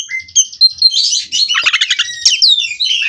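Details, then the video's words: Oriental magpie-robin, a captive-bred kacer, delivering rolling song: thin high whistles, then a rapid pulsing trill of repeated notes and bright slurred phrases closing the run. "Kacer Ini Ngerol Tanpa Henti"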